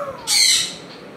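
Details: Pet African grey parrot at home gives a single loud, harsh, broadband squawk lasting about half a second, then quiet room noise.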